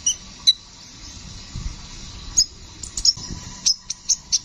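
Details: Brown-throated sunbird (kolibri ninja) in active rolling song: isolated high chips, then a faster cluster of sharp, squeaky, slightly trilled notes near the end, with faint low background rumble.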